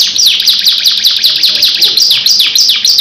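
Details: Long rolling canary song of dense, high chirped notes, repeated downward slurs run together with rapid trilled flourishes, loud and continuous.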